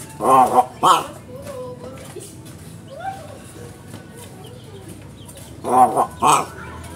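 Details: Talking crow imitating human speech: a harsh, voice-like double syllable opens the recording and another pair closes it, with faint thin chirps and a low steady hum in between.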